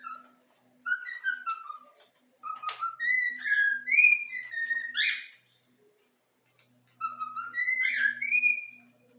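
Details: Pet yellow-cheek cockatiel chick taught to whistle the Flamengo anthem; bright gliding whistles come in two long phrases with a pause, mixed with sharp clicks and a low steady hum underneath.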